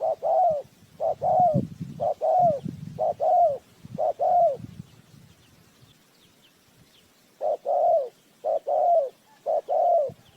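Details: ['Decoy spotted dove for bird trapping cooing in repeated soft, hollow phrases, each a brief note followed by a longer falling coo, in two runs with a pause between and faint low rumbling early on.']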